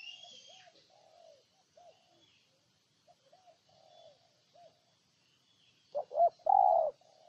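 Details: Spotted dove from Ninh Thuận, Vietnam: several soft, distant coos drift in first, then a close bird gives one loud phrase of two clipped notes ending in a drawn-out low coo.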